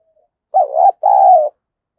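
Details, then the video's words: Spotted dove call used to stir a decoy bird into fighting: one low cooing phrase, a short wavering coo followed by a longer steady coo dipping at the end, in otherwise quiet surroundings. "tiếng cu gáy Thúc Đấu dùng kích bổi thì phải nói nó hiệu quả"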